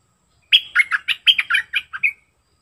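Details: Sooty-headed bulbul decoy song, dated 29/08/64: a lively run of about nine short bubbly, warbling phrases, rising and falling quickly over under two seconds, ending on a brief clear whistle, with a quiet background.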